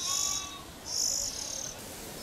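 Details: Oriental magpie-robin raising its young, camera placed overhead: two loud, hoarse, high hissing bursts about a second apart, with a thin steady tone and light background noise.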